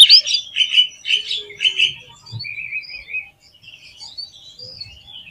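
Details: Oriental magpie-robin giving a string of four buzzy, slurred notes about half a second apart, followed by softer scattered twitters and chirps.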